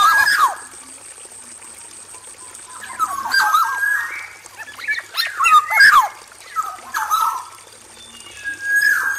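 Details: A male black-naped oriole (Oriolus chinensis) in an aviary gives rich, fluty whistles that slide up and down, in bursts every second or two, over a faint steady high hiss.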